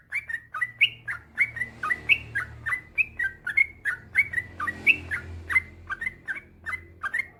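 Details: Unbroken song of a yellow-vented bulbul, the 'gacor ropel panjang' style used as a master recording for training other bulbuls. Chirpy, bubbling phrases repeat roughly three per second with slight pitch rises, over faint low background noise.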